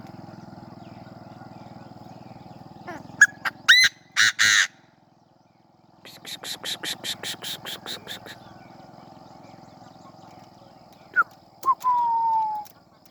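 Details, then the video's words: Francolin calling: a few sharp clicks, then two loud, harsh, grating bursts. A rapid series of about ten pulsed rasping notes follows, and a final long rasping note has a sliding whistle beneath it. A steady electrical hum runs throughout. "tiếng chim đa đa"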